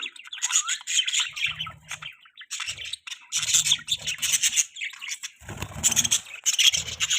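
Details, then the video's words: Budgies kept as pets chatter almost without a break, a dense, raspy, high warble of squawks and twitters with brief low rumbles now and then. "Budgies chirping sounds|Cute Budgies birds sounds|Budgie sound"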